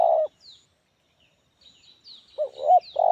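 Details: Spotted dove (tekukur) with a medium, loud 'Kuk 1' voice rich in fill notes. A coo ends, a quiet gap follows with faint thin chirps of other birds, then a fresh phrase begins with wavering notes and a full coo.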